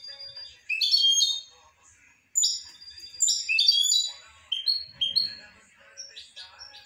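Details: European goldfinch song: bright tinkling twittered phrases of quick high notes, liquid trills and short whistled slurs in bursts separated by brief pauses.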